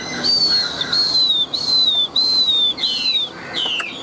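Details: Chinese hwamei, a large tame cage bird, delivering loud high whistles. Each is drawn-out and slowly falling, repeated about every half second with short breaks, over a faint hiss.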